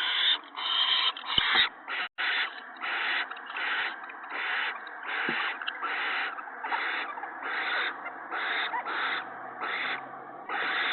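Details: Owl with its mate and owlets in the evening of 19 March 2017 as the male brings in mice and a rabbit. Harsh, hissing screeches repeat roughly once a second in a steady series, with a few sharp clicks early on.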